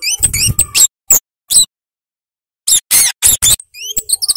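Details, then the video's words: High, squeaky, clipped chirps from a flowerpecker (cabe-cabean or kemade) in lively gacor song, given in quick clusters around a pause, with some harsh broadband bursts between them. "Suara Burung Cabe Cabean / KEMADE Gacor Ngalas Ngeplong"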